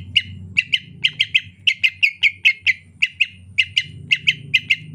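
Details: Greater green leafbird singing soft rainy-season 'ocehan lemas' chatter: sharp, bright chip notes, often in quick pairs, repeated steadily about three to four times a second over a faint low hum.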